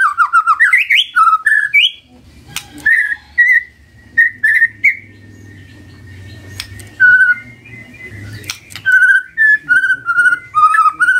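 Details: Magpie-robin morning song used to coax a quiet bird into answering: rising whistled phrases at first, then sparse whistles with a gap, ending in steady runs of repeated whistled notes.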